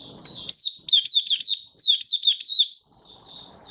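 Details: Malaysian mata puteh or oriental white-eye in happy open song: a continuous high warble studded with a fast run of about nine loud sharply slurred downward notes, then softer twittering; faint low noise at start and end.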